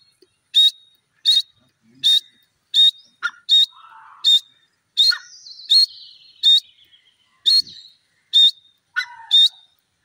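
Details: Grey francolin (gora teetar) giving a long series of loud, high, shrill notes at a steady beat, roughly every three quarters of a second. A softer sliding whistle and a few scratchy sounds come in behind.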